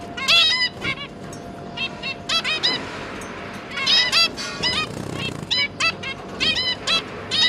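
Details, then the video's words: Busy zebra finch parents tending three new juveniles, recorded 1 October 2022: repeated sharp nasal beeps, some doubled, arriving in uneven bursts with brief pauses, a soft steady hum underneath. "Zebra Finch - Jobby and Yongi, and their 3 juvenile babies"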